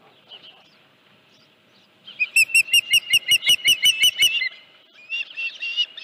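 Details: Calls from an osprey nest, recorded the morning of 31 July 2018 near 9:43, when a headless fish was present. After two quiet seconds, a burst of shrill, evenly spaced whistled chirps follows. Softer, rougher calls come near the end.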